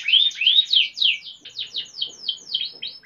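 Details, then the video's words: Actively singing canary delivering a fast run of bright, sweeping chirped notes, each slurring downward, repeated about three times a second, loud at first then softer toward the end. "Suara kenari Gacor"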